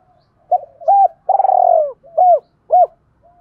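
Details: Spotted dove cooing in the Vietnamese thổ style, used as a lure to draw wild doves in to fight: low, mellow arched coos, one longer purring note in the middle, a short phrase in clean quiet surroundings.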